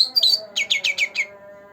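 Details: Two-month-old green leafbird singing to prompt birds that seldom sing: a quick whistled flourish followed by five loud down-slurred chirps about every eighth of a second, then a faint hum.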